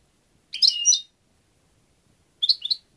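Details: European goldfinch producing two bright twittering phrases, the first longer and rippling, the second a quicker trio of chirps, separated by about two seconds of silence.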